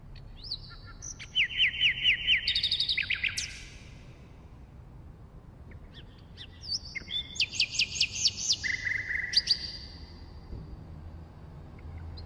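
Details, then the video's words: A common nightingale sings two varied phrases of rapid, rattling trills and clear whistled notes, with pauses between, over a faint low background hum. "Bülbül Ötümü (Nightingale singing)"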